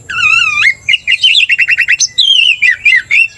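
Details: Oriental magpie-robin song, bird provoked to aggression by a loud singer: opens with wavering whistled warble, then a quick series of short chopped notes, ending in sweet descending whistles and bright upslurs.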